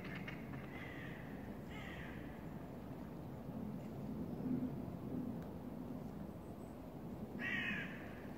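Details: Common moorhen at the Parc de la Poudrerie on 23 January 2019 giving harsh, croaking notes: three in quick succession, then a single one after a five-second pause, over a steady low rumble.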